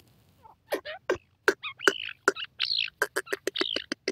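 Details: Grey francolin, known locally as gorela teetar, calling: a loud, rapid series of harsh, clipped notes, roughly three per second, speeding up with squeaky, rising syllables mixed in, against a quiet background.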